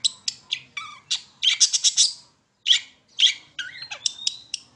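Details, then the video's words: Long-tailed shrike song used as a lure to set other shrikes singing: harsh, scratchy bursts and clipped high chirps in uneven clusters, broken by short pauses, with a varied mix of notes. "Pancingan Cendet Terbaru 2020 Gacor Dor Bakal Nyaut"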